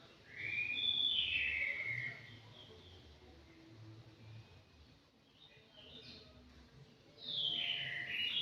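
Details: A five-month-old anggungan in an aviary gives a loud, bright warbled phrase of sliding whistles in the first two seconds, then a quiet pause and a fresh burst of high whistles near the end.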